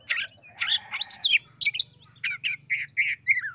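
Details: Oriental magpie-robin singing in answer to a rival, a quick string of varied whistled notes, some sliding and looping, then a run of short repeated chirps, with no other sounds.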